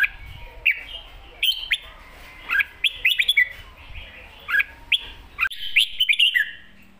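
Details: Red-whiskered bulbul delivering an energetic master song, bursts of warbled whistled phrases separated by brief pauses, mixed with sharp clicking taps and low background rumble.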